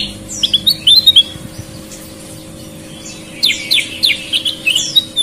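Sooty-headed bulbul giving bright, bubbly whistled notes in two quick bursts, the phrases rising and falling between short pauses, with a faint steady hum underneath.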